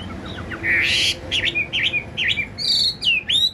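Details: Tame caged Chinese hwamei, a big-bodied bird with blue eyes, kept singing indoors in a dark house: a burst of rough noise, then quick V-shaped whistled notes and high looping slurs.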